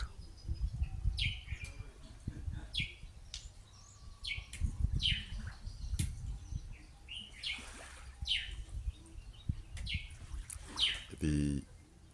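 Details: A bush lark on a lakeshore sings a run of sharp, high chirps and short trills, about one note a second, over lake-water noise, a steady low rumble and a few spoken words.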